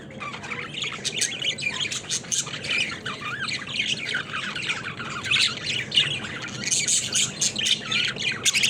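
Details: Caged budgerigars playing, a crowded chorus of buzzy squawks, rapid chirps and warbled chatter from many birds, building somewhat louder in the second half.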